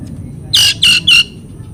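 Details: Oriental magpie-robin (kacer) training recording used to prompt mute birds: three loud, harsh, rasping notes in quick succession over faint low hum.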